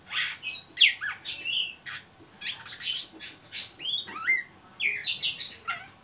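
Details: Oriental magpie-robin ngeriwik calls to stimulate young birds to sing: clusters of harsh rasping bursts mixed with sharp whistled slurs, separated by brief pauses.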